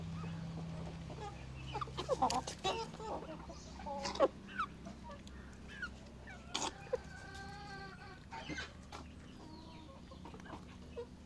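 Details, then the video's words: Curious chickens, hens and roosters, gathered in a coop and eyeing a camera; irregular short clucks and a longer wavering call sound amid continuous low droning noise and occasional knocks. "Curious chickens looking at camera and making sounds in a chicken coop"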